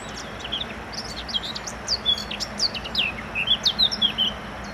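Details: Eurasian blackcap song: a rapid, varied warble of high chattering and twittering notes that grows louder, ending in a run of clear, fluty whistled phrases over the last second and a half, over a faint steady low hum.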